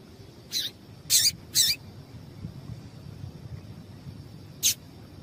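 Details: Calls of a female yellow-bellied seedeater meant to make the male sing: brief bright high chips, one then a quick close pair, a pause, and a final chip, with a constant faint high hum behind.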